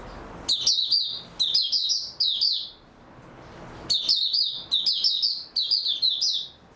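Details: Singing oriental white-eye, dated 03-03-2022 after a good sleep: two long bouts of fast, sharp, high-pitched twittering notes with a brief quiet gap between them.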